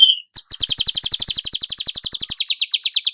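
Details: Golden-headed weaver song: a short note, then a long, steady, rapid series of high chattering chirps, slowing slightly toward the end.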